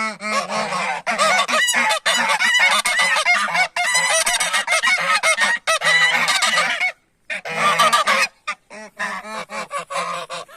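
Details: Geese honk loudly and almost nonstop as humans approach them, overlapping nasal, harsh calls in a dense chorus, with a brief pause partway through.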